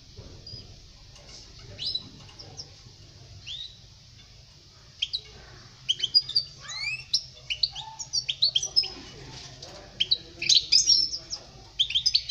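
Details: European goldfinch song for teaching young birds to sing: sparse tinkling notes at first, building into a rapid run of varied twitters, rising slurs and buzzy trills over the second half.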